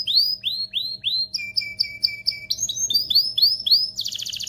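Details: Mating-stimulation song of a canary: arched whistled notes repeated steadily, a steady rattling passage, more arched notes and a closing buzzy trill, all high and clear.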